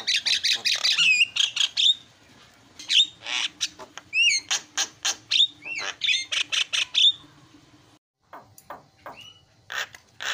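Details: Javan myna, jalak kebo, singing a rapid filler-style song for training: dense harsh bursts mixed with sharp upslurred whistles and clicks, a brief pause near eight seconds, then more rasping notes.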